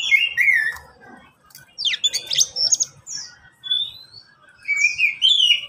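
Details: Caged Oriental magpie-robin, one of three kept birds answering each other, used as a master recording to prompt and lure birds; varied whistled phrases, slurred rising and falling notes, and a burst of harsh scratchy notes mid-phrase.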